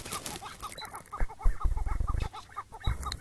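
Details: Chukar partridge of the type called Iraqi partridge, on a May 2017 morning in the breeding season, calling during a hard struggle to trap it: rapid clucking notes about four per second, over heavy low thumps and handling noise.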